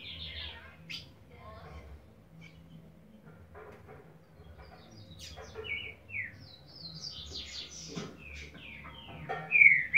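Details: Green-winged Saltator singing in the boiadeiro song style: a run of varied clear whistled phrases, some slurred downward and some rising, ending in a louder bright upslurred whistle, with a low steady hum beneath.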